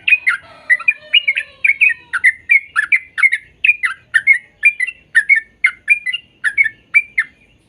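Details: Sooty-headed bulbul song used to coax young birds into singing: a steady series of liquid, bubbling whistled notes, about two every second.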